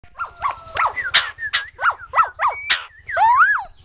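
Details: White-crested laughingthrush in lively song. Rapid, varied whistled notes swoop up and down, with sharp clear slurs and a rich, rolling warble at the end.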